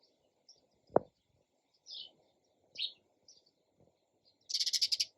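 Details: Chirping sparrow: a few separate sharp chirps about a second apart, then a fast run of about eight loud pulsed chirps at the end; one dull knock early on, otherwise quiet.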